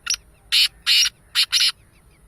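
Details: Black francolin, locally kala teetar, calling: a thin high opening note, then four loud, harsh, grating bursts in two pairs within about two seconds, against a quiet background.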